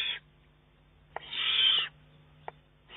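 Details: Young Eurasian eagle-owl, already able to feed itself, begging food from its mother; one drawn-out harsh hissing screech of under a second, with fainter screech edges at start and end and a couple of soft clicks.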